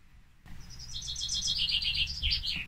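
Common Chaffinch song: a rapid run of bright, repeated notes tumbling downward in pitch over two seconds, ending in a brief flourish, over a faint low rumble.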